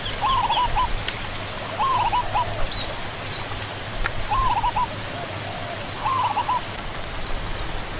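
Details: Zebra dove (Geopelia striata) calling with four short, staccato trilled coos, each about half a second long and spaced roughly every one and a half to two seconds, against a constant low hum and background hiss.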